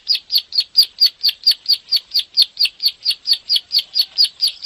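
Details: Bar-winged prinia in rapid repeated 'klik' song, recorded as a training master to provoke caged birds into singing; loud, high, slightly buzzy chirps in a regular fast series.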